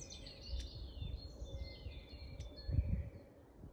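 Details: Long-tailed tits in Grunewald on 20 March 2021, giving thin, very high, short calls that overlap and slide slightly in pitch, with soft low rumbling background noise.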